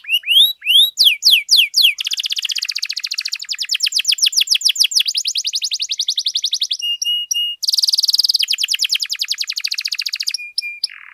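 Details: Lively canary in long singing as a master recording for training: fast rising sweeps give way to rapid buzzy trills, steady pure tones and rattling rolls, changing tour every second or two.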